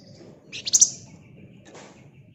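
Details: Flamboyan bird in ngebren style: one brief, shrill, buzzy chattering burst with rapid pulses, followed by a faint softer note, over low background hum.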